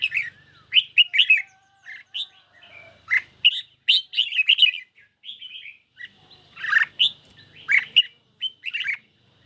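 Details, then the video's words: A caged red-whiskered bulbul sings a duel with a phone on a lightly sunny day. Lively warbled phrases of quick, loud chirps come in runs, with faint gliding whistles between the bursts. "Chim Chào Mào Của A Tủa Hót Đấu Với Điện Thoại Cực Xung"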